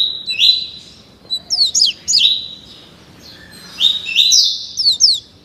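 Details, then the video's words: Captive double-collared seedeater aged 30 days, tutored in the tuí tuí Alcântara song, gives two phrases of high sustained whistles mixed with quick descending slurred notes. "COLEIRO FLASH ENCARTADO NO CANTO TUÍ TUÍ ALCÂNTARA COM APENAS 30 DIAS"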